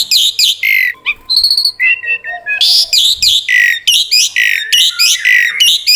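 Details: Asian pied starling singing in a lively, prolific way with a full 'isian' repertoire: rapid, varied, loud squawky and whistled notes. Buzzy bursts alternate with clear upward and downward slurs and a brief metallic ringing phrase.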